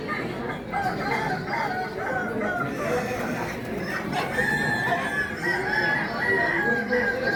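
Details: Kukuak Balenggek roosters, an endemic breed from Solok, West Sumatra, Indonesia, at a crowing contest: several long, stepped, harmonic crows overlap one another against a murmuring crowd.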